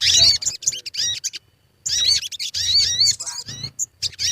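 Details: Sogon lure song for prompting birds to sing: rapid bursts of high, twisting chirps and wavering notes, broken by a short silence, then more busy warbling.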